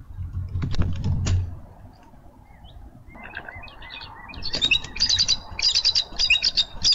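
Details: A bald eagle at a nest in Minnesota on 6 March 2013, landing at the nest. Wing noise and thumps come first, then rapid high chirping notes in quick bursts.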